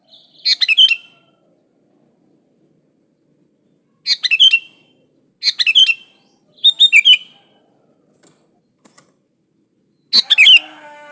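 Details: Sooty-headed bulbul singing, used as a lure to set other bulbuls singing; short bubbly phrases of three or four chirpy whistled notes, repeated five times with pauses of one to three seconds between.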